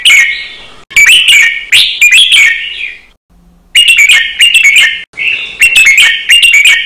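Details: Training song of a caged red-whiskered bulbul in the counted-note style with rapid doubled notes: loud, liquid whistled phrases with crisp, clicky onsets, broken by one longer silence midway.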